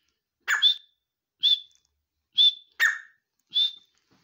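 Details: Grey francolin calling: five loud, sharp notes, each a brief burst ending in a clear whistled tone, given about once a second with short silences between.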